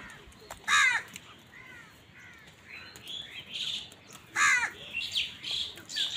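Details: Amid a fight with wild birds over food, crows give two loud, hoarse caws about four seconds apart, while smaller birds chirp and twitter steadily at a higher pitch.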